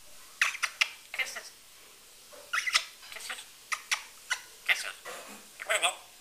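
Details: Talking African grey parrot kept as a pet giving kisses: rapid clusters of short clicky smacks and chirpy, speech-like syllables in bursts, with a brief quiet gap midway.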